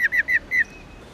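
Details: Four slurred, evenly spaced notes from a female black-throated laughingthrush (Garrulax chinensis lugens), part of the 'ro' call used to rouse male birds, ending in quiet.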